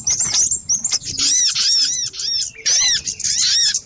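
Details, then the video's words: Busy lure sound of little spiderhunter, shrill, high-pitched arched notes repeated in quick runs, broken by short silences, with soft low background rustle. "Suara pikat burung sogok ontong ribut kompilasi"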